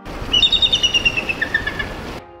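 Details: Bald eagle giving a loud, somewhat shrill, clearly audible call: a rapid run of about a dozen high, thin piping notes, stepping slightly lower toward the end, over faint background music.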